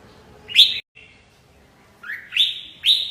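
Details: A red-whiskered bulbul gives a few loud, ringing upslurred whistles with a short silence between them, the last notes coming in quick succession.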